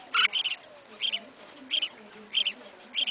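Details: Pet red-whiskered bulbul in a cage, the keeper's first bird, producing five quick bursts of clustered high chirps spaced about half a second apart, the opening burst loudest.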